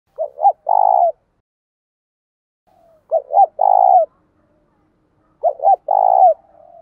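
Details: Spotted dove used as a captive decoy, giving its fighting call to spur newly caught doves to call back: three phrases, each two short rising coos and then a long purring croo, about every three seconds, in a quiet setting.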